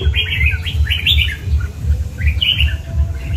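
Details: Red-whiskered bulbul of the 'cọp' type producing quick, slurred whistled phrases in short bursts, over a regular low thumping mechanical hum.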